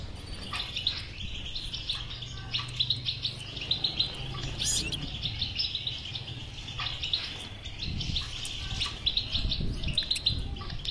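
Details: Stimulation song of a European goldfinch for a goldfinch that will not sing: long, lively twittering with sharp high chimes and some buzzy notes, over background hum and low rumble.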